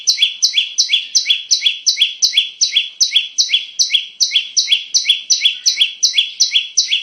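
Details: Lure song of the bar-winged prinia for bird trapping: an unbroken run of fast, shrill, paired notes, high then lower, repeated almost three times a second with a very even rhythm.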